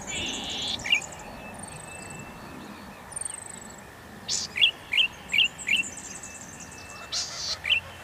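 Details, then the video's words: Golden-headed cisticola song: a drawn-out buzz followed by a series of four crisp, evenly spaced rising 'lik' notes, then another buzz and a final note, with distant thin whistles from other birds. "Cengkok merdu burung imut branjangan mini cici padi kepala mas"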